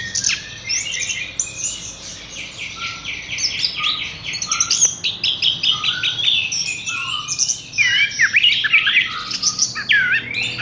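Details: Caged Horsfield's bush lark, hung up without prior conditioning, delivering a dense, rapid song: a stream of high chirps, trills and buzzy slurred notes, interspersed with short lower whistles and harsh rasping phrases, continuous throughout.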